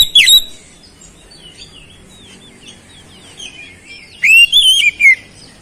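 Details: Oriental magpie-robin song with flowerpecker mimicry: a sharp opening whistle, a quiet stretch of soft wavering notes, then a loud, rich phrase of sliding, looping whistles.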